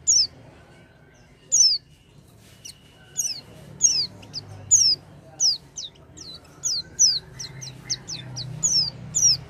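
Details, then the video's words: Lure song of an Oriental white-eye for getting a quiet white-eye to sing: sharp, very high downslurred notes repeated roughly every half second to one second, some doubled, over faint low background noise. "pancingan pleci macet bunyi dengan suara ini"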